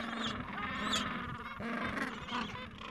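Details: Gentoo penguins calling within a breeding colony in the Falkland Islands on a mild afternoon, adults attending chicks two to three weeks old; steady overlapping harmonic calls with a few high, sharp upswept notes.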